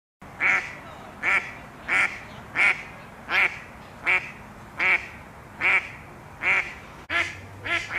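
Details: Female Mallards quacking loudly during mating season, arguing over males as drakes bob their heads in courtship; a steady series of about ten harsh, nasal quacks, roughly one every 0.7 seconds, evenly spaced and strong.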